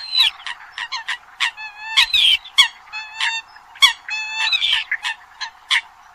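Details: Eurasian coot calls used as a lure for the 2020-2021 hunting season: dense sequence of nasal honks and sharp clipped notes, uneven rhythm, some harmonic-rich trumpeting notes and short rising squeals among them.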